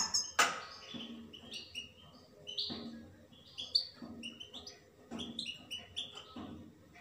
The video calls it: Пение щегла. Щегол поёт.